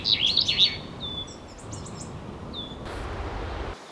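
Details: A common chaffinch calls during a fight between a pied flycatcher and a great spotted woodpecker at a nest hole: loud tangled chirps, then thin down-slurred whistles about a second apart, with faint high notes and soft outdoor background.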